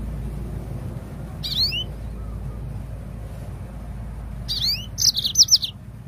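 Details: Yellow-fronted canary song played to prompt birds to sing. A brief rising chirp comes first, then after a gap a fuller phrase of quick, high notes, all over a low background hum.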